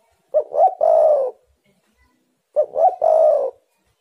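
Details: Spotted dove cooing, played to provoke wild doves into calling: two identical three-part phrases about two seconds apart, each a brief note, a rising hoot and a drawn-out mellow coo that sags at the end.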